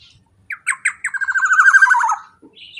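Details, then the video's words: Black-naped oriole calling loud and clear as a lure for other birds: three sharp separate notes, then a fast rattling series of nasal notes falling in pitch, ending in a short high note. "suara KEPODANG GACOR super KERAS LANTANG cocok untuk pancingan kepodang emas"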